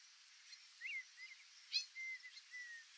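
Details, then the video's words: White-faced whistling duck in the Pantanal giving clear, high whistled notes, some slurred up and down, spaced about half a second apart over a steady background hiss. "IRERÊ (DENDROCYGNA VIDUATA), WHITE-FACED WHISTLING-DUCK"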